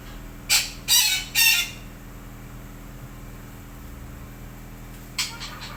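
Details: Red-breasted parakeet calling in the morning: three loud, grating screeches in quick succession, a pause of several seconds, then one more shorter call, with a low steady hum throughout.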